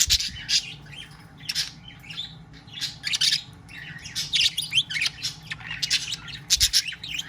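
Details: A male budgerigar chatters to his mate, the mother of his five new chicks, in rapid, scratchy bursts of high chirps and squeaky, speech-like phrases, saying "I love you".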